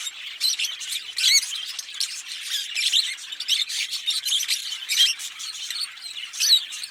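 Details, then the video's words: Two green Fischer's lovebirds chirping and singing together: shrill, scratchy high twittering in quick irregular bursts, constant chatter with occasional sharper squeaks standing out. "Lovebird Singing & Chirping Sounds - Green Fischer Pair"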